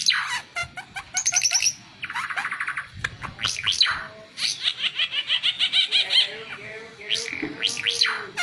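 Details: Varied oriental white-eye song meant for training other birds: rapid clicking trills, a buzzy harsh phrase, sweeping notes, then a pulsed chattering series and a low drawn-out tone near the end.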